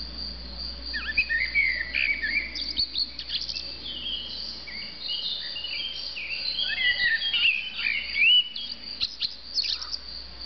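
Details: Blackbird on a rooftop in Argeș, Romania, June 2013, delivering a run of mellow whistled phrases that slide up and down, tangled with thin high twittering and followed by short pauses, with a low constant hum underneath.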